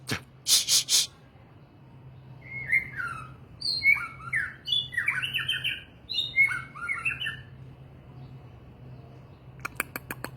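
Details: Murai batu, the white-rumped shama, delivers bursts of varied whistles, down-slurred notes and short buzzy trills in separate phrases. Sharp clicking and rattling knocks come at the start and end.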